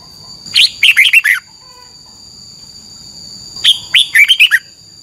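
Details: Thai caged Red-whiskered bulbul, 'double' style training song: two phrases of five or six crisp, chirpy notes, the last dropping in pitch, with a quiet gap between and a steady high tone behind.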